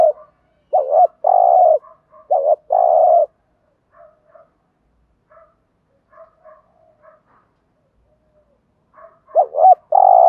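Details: Spotted dove coos used as a lure for wild doves. Loud low phrases open the recording, soft scattered cooing notes follow in a long gap, and wavering coos return at the close.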